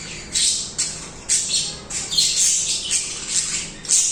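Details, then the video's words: Several budgies chirping and singing nonstop, harsh high chirps swelling into overlapping buzzy warbles, loud bursts roughly every half second, with a steady low indoor hum. "Budgies singing/chirping"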